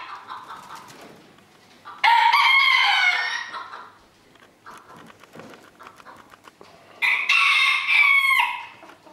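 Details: At a 2022 rooster crowing contest in Villers-la-Ville, two separate loud crows about five seconds apart, each a strident harmonic phrase of over a second that drops in pitch at its end. Faint clatter and quieter background noise fill the gap.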